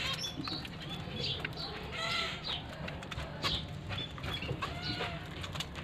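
Zebra finches give short, nasal, high-pitched calls, with soft rustling and wing flutters.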